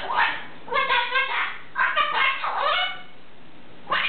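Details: Talking pet cockatoo indoors, mimicking human words such as "What is that" and "Oh, my goodness": several voice-like, harmonic phrases with shifting pitch, a short pause, then one final brief utterance.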